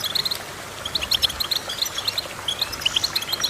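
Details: Crisp, separate chirps from a goldfinch, mostly paired or tripled bright notes spaced by brief pauses, against a quiet, faintly hissing background.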